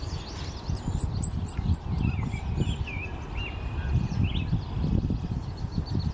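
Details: Morning Blackpoll Warbler song, Boreal Island in AE Wilson Park, Regina, Saskatchewan, on May 29, 2014: about ten very high, thin, evenly spaced notes in a quick run, over heavy low background rumble and lower whistles from other birds.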